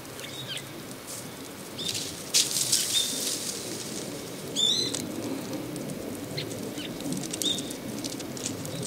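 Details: Asian rosy finch in winter, watched from a few metres away, filmed on a Nikon D7500 with a Tamron 18-400 mm lens: short high chirping notes, one clear at mid-clip and a few more scattered, over soft pattering, clicking and rustling.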